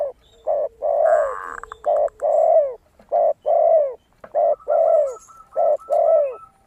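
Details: Zebra dove (perkutut) heard in a recording with a spotted dove (tekukur), used as a lure to make other doves call, gives a rhythmic run of short, mellow, low coos in quick bursts, with a faint higher background twitter.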